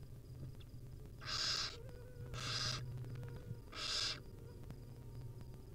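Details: Barn owl nestlings in a wild nest beg as their mother feeds them tiny morsels, three loud, breathy, rasping hisses spaced about a second apart, then quiet hum.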